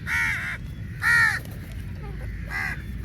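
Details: Three loud, hoarse caws from crows fighting over meat during feeding, each about half a second long and spaced roughly a second apart, over a low rumbling background.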